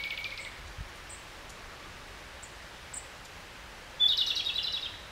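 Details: Japanese robin song, described as subsong: faint scattered high notes, then near the end a clear phrase of a piercing whistle followed by a rapid, pulsing rattle of about a second.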